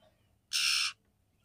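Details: Female oriental magpie-robin calling to the male to stimulate mating: one harsh, broad rasping note lasting under half a second, with quiet background.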